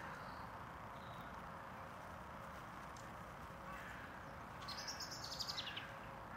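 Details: A Eurasian wren (Troglodytes troglodytes) in Tivoli landscape park, Ljubljana, on 29 January 2023, bursts into a short, rapid run of high, sharp trilled notes near the end, over a steady rumble of background noise.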